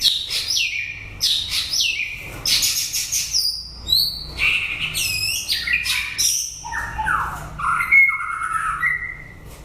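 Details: White-rumped shama singing late in the breeding season: loud, rich, fast-changing phrases of rising and falling whistles, sharp chips and slurred notes, varied and nearly continuous.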